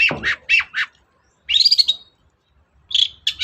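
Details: Long-tailed shrike singing energetically, recorded as a lure to provoke a silent shrike into song: a quick run of three or four short harsh chirps, a pause, then a drawn-out buzzy note, silence and two more scratchy notes.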